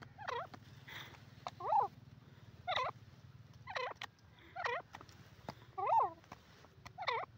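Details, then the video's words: Francolin, locally called dakhni teetar, giving clear, loud calls. Each call is a short, ringing, wavering note, repeated about once a second with brief gaps, over a low steady hum. "peasant bird awaz,saaf and onchi awaz dakhni teetar"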